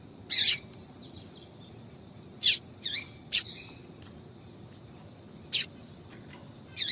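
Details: Yellow-bellied seedeater female uttering 'tui tui' calls to heat up males: a loud high chirp, then softer scattered notes and short doubled calls, sparse and irregular.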